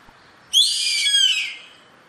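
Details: A wild yellow-headed caracara utters one drawn-out, grating scream with a sharp onset, holding steady and then dropping a little in pitch as it fades; little other sound.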